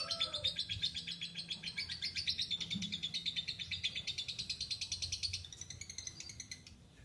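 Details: Lovebird delivering its extended ngekek chatter: a fast, rhythmic stream of harsh, buzzy high chirps that gradually rises, then trails off softly near the close.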